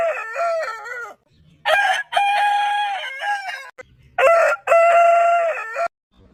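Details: Rooster giving three loud crows in a row, each with a few clipped opening syllables and a long level sustained note, separated by short pauses with faint low sounds.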